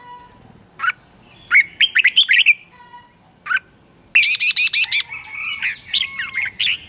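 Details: Morning song of a red-whiskered bulbul, played to coach wild-caught birds into fierce competitive singing: isolated sharp chirps, a burst of rolling whistled notes, then a rapid string of repeated ringing notes followed by twittering phrases.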